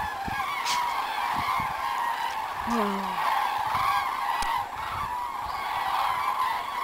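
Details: Flock of cranes coming back over South West France in February, spring return; dense overlapping trumpeting calls blend into a continuous rolling chorus, one lower call dipping briefly, with faint wind rumble underneath.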